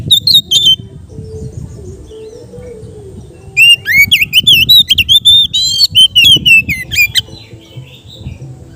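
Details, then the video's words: Relaxed ngeplong singing by an Oriental magpie-robin, played as therapy for untrained kacer. A brief whistle opens, then a low rumble, then a dense three-second string of loud, bright, wavering whistled notes. "suara Kacer ngeplong santai cocok untuk terapi kacer bahan"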